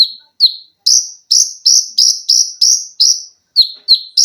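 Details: Olive-backed sunbird recorded as tutor song for cage birds: a fast run of loud, piercing high notes, each sliding slightly down, repeated roughly three times a second with short pauses between bursts.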